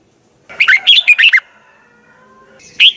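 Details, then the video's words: Red-whiskered bulbul kept for morning song training, giving one quick burst of four or five slurred, warbling whistled notes, then a short note after a pause, against a faint hum. "Luyện chào mào hót sáng 2020, Giọng kép xoắn 6789 Quá hay hót căng lửa, luyện chào mào hót"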